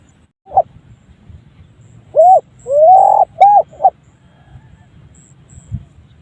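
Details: Unusual call of a spotted dove: a short coo, then a pause, then a cluster of hooting notes with one long drawn-out rising coo in the middle, ending in quick clipped notes, with quiet background rustle.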